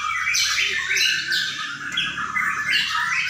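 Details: Brief burst of white-rumped shama singing at a Sidareja bird contest: bright, loud downslurred whistles repeated about every half second amid a thick layer of high chattering notes, low background rumble.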